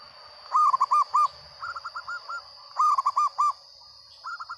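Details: Actively singing local zebra dove with a loud voice: repeated staccato phrases of four or five rapid, rounded coo notes, alternating louder and softer series, over a steady high electronic-like whine.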